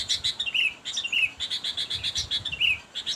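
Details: Sooty-headed bulbul (kutilang) calling to a rival: a run of quick, evenly spaced bright notes interrupted by short slurred downward phrases, repeated several times.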